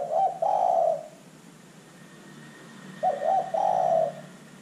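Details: Spotted dove, a lure recording meant to set other birds calling; two low cooing phrases about three seconds apart, each a short stuttered note followed by a longer, rolling, purring coo, over faint background hum.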